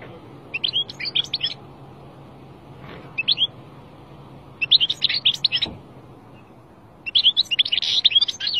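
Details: Song of a five-month-old young European goldfinch: four short bursts of rapid, high twittering notes separated by pauses, the last burst longest and most jumbled, over a soft background hum.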